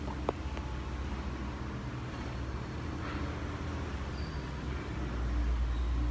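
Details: Steady low roar of road traffic, swelling toward the end, with an occasional sharp click. No birds or other animals are heard.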